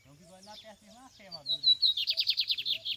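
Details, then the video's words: Lined seedeater (bigodinho) heard in the field: a man talks in Portuguese at first, then a high, buzzy, fast trill of about a dozen repeated sweeping notes bursts in and runs to the end. "Campeada de bigodinho"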